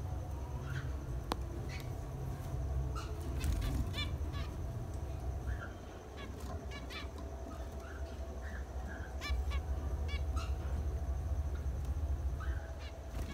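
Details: Nasal, trumpet-like chirps from a pair of zebra finches, male and female, come in loose clusters, busiest after the midpoint, while a droning hum runs underneath.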